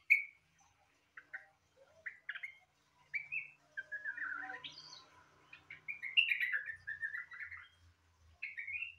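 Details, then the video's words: Yellow-vented bulbul singing a song said to resemble a green leafbird: short, sharp whistled and chirpy notes in scattered bursts, some rising, with a brief warbled run near the middle and a faint low hum underneath. "Suara burung trucukan mirip cucak Ijo...!!!???"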